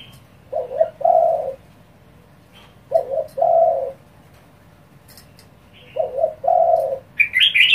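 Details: Spotted dove calling quickly to provoke rival doves: three low, husky coo phrases, each a short note then a longer burred one, spaced about three seconds apart, with faint high chirps at the end.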